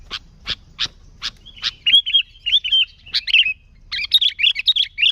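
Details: Lure song of a sooty-headed bulbul, vigorous and without filler birds: five spaced sharp chips, then slurred whistled phrases and a closing burst of busy, rapid chatter.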